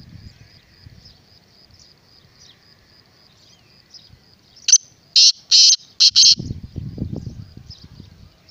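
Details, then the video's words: Black francolin (kala teetar) calling once: a clipped first note, two drawn-out buzzy grating notes and a rapid closing pair, with a faint steady high tone throughout and low rumbling noise afterward. "Black Francolin kala Teetar"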